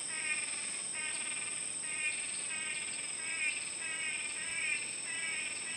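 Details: Blue-backed Manakin giving buzzy, nasal notes about once a second as two males dance a courtship display for a female, over a steady high insect whine.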